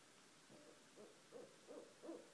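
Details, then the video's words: Barred owls near a house at night give a short series of five low hoots, each a little louder than the one before, over a quiet background. "Two Barred Owls at 1:30 am"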